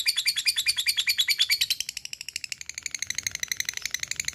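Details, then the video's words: Lovebird giving a long ngekek, used as a lure to set other lovebirds calling: a rapid run of harsh, shrill chattering pulses, loud at first and fading to softer, quicker ticks. "LOVEBIRD NGEKEK PANJANG GACOR SANGAT MUDAH BKIN LWN BUNYI"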